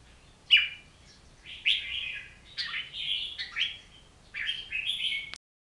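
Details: Oriental magpie-robin song in separate rich whistled phrases, each starting with a sharp note and sliding into a sweet warble, delivered at irregular intervals, with a quiet background and an abrupt ending.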